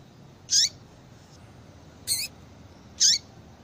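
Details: Three crisp, high chirps from a female yellow-bellied seedeater calling to get a male into breeding condition, spaced about a second apart, each with a lower sliding trace; quiet hum behind.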